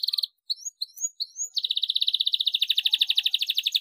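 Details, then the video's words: Canary song meant to trigger other canaries to sing: short buzzy bursts and a few rising whistled notes, then a sustained, very rapid rattling trill of evenly spaced pulses. "CUITAN KENARI 7 !! KENARI GACOR DOR PANCINGAN JITU KENARI BAHAN"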